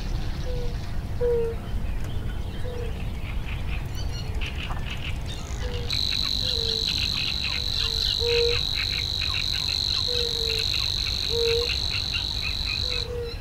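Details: In the reedbed, a Savi's warbler starts a continuous high, insect-like reeling buzz halfway through and holds it to the end. Short low tonal notes repeat every second or so underneath.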